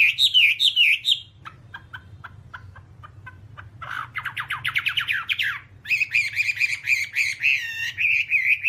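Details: Whambie song meant for training songbirds: looping whistles, then a spell of soft spaced ticks, a rapid buzzy chatter, and finally sustained rich warbling with quick trills, over a low background hum.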